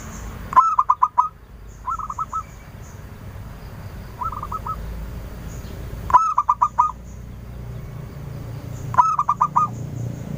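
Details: Local zebra dove, used as a lure bird to draw many answering calls, singing clear, rapid phrases of three to five short, even cooing notes, repeated several times with pauses between; faint high thin whistles above.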